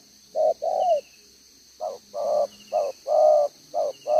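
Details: Decoy spotted dove with a double necklace, singing the one-ending 'gáy 1 hậu' coo, 11/6/2023: a pair of soft low coos, a gap, then a run of six hollow notes, the longer ones slightly falling, steady faint high hum.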